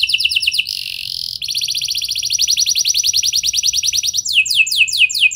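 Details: Canary song as a lure to set other canaries singing: a rapid trill, a harsh buzzy section, a long fast rolling trill, ending in descending sweeping notes.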